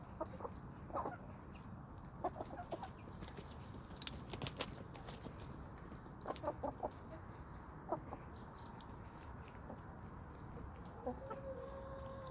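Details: Chickens and roosters kept on a suburban homestead in Toxandria; quiet, repeated clucks and short calls spread through the recording in small bursts, with a constant soft background hiss.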